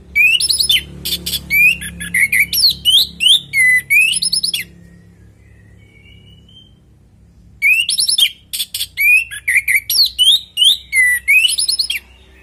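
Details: Lure song of an orange-headed thrush, natural and in full voice: two long bursts of fast, varied whistled and chattering phrases separated by a quiet gap of about three seconds, over a faint low hum.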